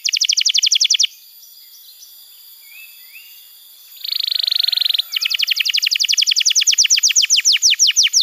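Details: Canary song used to train young canaries and coax silent ones. A fast pulsed trill stops for three quiet seconds with faint soft notes, then a buzzy trill and a long run of rapid descending notes follow.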